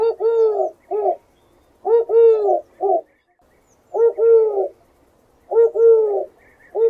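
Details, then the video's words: Dove giving four mellow, low-pitched coo phrases in steady succession, each a short lead-in note, a prolonged double coo and a brief final note, with near silence between phrases. "Real Dove Bird Sounds"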